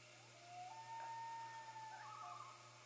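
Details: Calls of common loons heralding their first chick's hatching, recorded 6 5 13: a long whistled wail rising then holding steady, breaking into a higher quavering tremolo near the end, with a low hum throughout.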